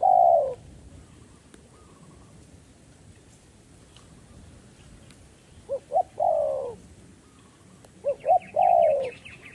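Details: Spotted dove used as a trapping decoy, calling to draw in wild doves. It gives a long falling coo, then after a gap two quick hoots and a long coo, and repeats the phrase. Faint chirping is heard near the end.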